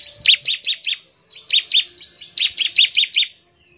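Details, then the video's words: Bar-winged prinia singing energetically to call other prinias into song: three short runs of bright, high, clipped notes, each run of four to six quick chirps. "CIBLEK GACOR, NEMBAK NGEBREN UNTUK MEMANGGIL CIBLEK CEPAT BUNYI GACOR"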